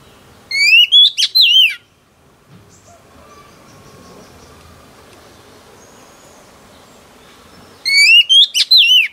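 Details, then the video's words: Female oriental magpie-robin, a wild-caught bird, singing to excite males: two bursts of loud, clear whistled notes sliding up and down, separated by about six seconds of quiet with faint background hiss. "Choè than mái bổi lên giọng hót kích trống"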